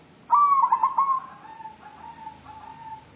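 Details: A white local zebra dove looking for a mate gives one strong stuttering coo, followed by a string of softer, lower trailing notes that fade away over the next two seconds.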